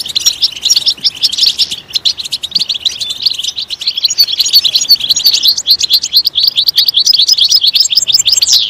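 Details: Loud, continuous European goldfinch song, a rapid, liquid stream of high twittering and chattering notes running without a break for nearly nine seconds.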